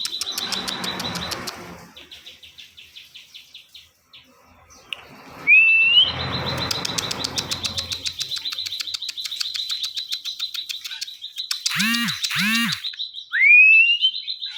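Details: Ciwah singing energetically as a tutor for other songbirds: long runs of rapid high ticking chirps at one pitch, broken by a few loud rising whistles and short buzzy bursts.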